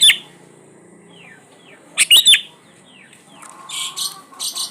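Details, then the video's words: Kutilang, or sooty-headed bulbul, in lure song used to coax quiet birds into singing: a few thin downward-sliding whistles, a loud clipped triple burst near the middle, then buzzy, scratchy notes toward the end. "SUARA PANCINGAN BURUNG KUTILANG GACOR ISIAN COCOK BUAT KUTILANG MALAS BUNYI"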